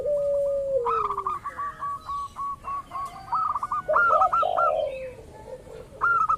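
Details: Local zebra dove lure calls to provoke rivals into answering: a long level coo falling at its end, then rapid repeated short higher notes and a loud trilled coo burst later.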